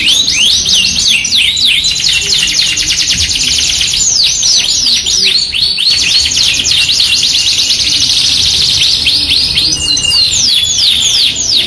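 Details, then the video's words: Lure recording of a Yorkshire canary singing without pause: rapid chattering trills, clusters of steep curving whistles, and a long shimmering roll in the second half, all high-pitched. "MASTERAN KENARI 2 IN 1 | KENARI GACOR YORKSHIRE FOI21 VS AF CENGKOK MEWAH | PANCINGAN KENARI AMPUH"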